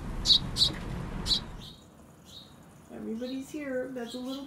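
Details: A house finch fledgling from a nest in a hanging planter on an Emeryville apartment deck gives three sharp, high begging chirps, asking to be fed, then fainter squeaks over rustling. A person talks toward the end.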